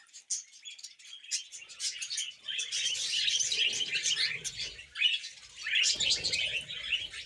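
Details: Pet budgerigars chatter in a group. Scattered high chirps build into dense, rolling warbling, broken by a brief lull around five seconds, while faint rustling and low thuds sound underneath.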